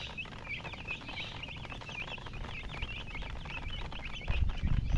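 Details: Young chicken chicks chirping together: rapid overlapping high cheeps, several each second, over a low background hum, with a sudden low thump near the end.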